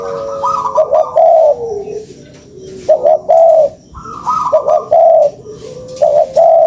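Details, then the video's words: Lure calls of spotted dove: mellow coo phrases of two or three hoots plus a drawn-out final note, repeated about every one and a half seconds with gaps between. "SUARA PANCINGAN BURUNG TEKUKUR"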